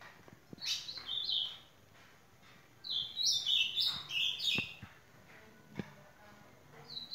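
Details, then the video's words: Ultramarine grosbeak song, two sweet whistled phrases of high slurred notes separated by a pause, with soft clicks and a steady faint high hiss in the background. "Azulão cantando"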